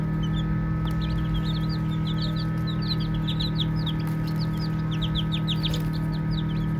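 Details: Small chicks playing fill the air with dense, quick high peeps, many birds calling at once above a continuous low hum.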